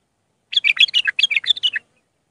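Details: Raw Mandali Iraqi bulbul song for tutoring young bulbuls: over a second of evenly spaced, sweet chirping notes rising and falling in a lively phrase.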